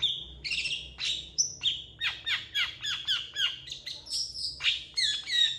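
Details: Long-tailed shrike singing actively, a song rich in imitations said to include cats and chickens and used to tutor competition birds: a steady run of downslurred whistled notes about twice a second, interwoven with buzzy chatters and high trills.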